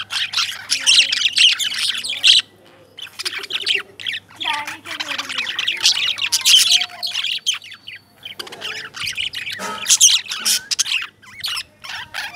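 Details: Several lovebirds chirping in dense, high, scratchy bursts broken by brief pauses, with some lower wavering notes in between.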